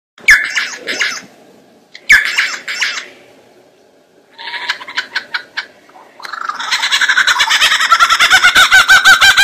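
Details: A lyrebird, a species that imitates sounds to court the female, gives harsh squawking bursts, then a fast, buzzy, mechanical-sounding rattle repeated about three times a second.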